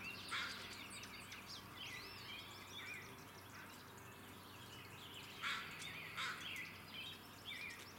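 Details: Pine siskins on Vancouver Island, Canada, twitter in a steady high chatter, with rising buzzy zreee notes and bursts of louder calls; a low background hum runs underneath.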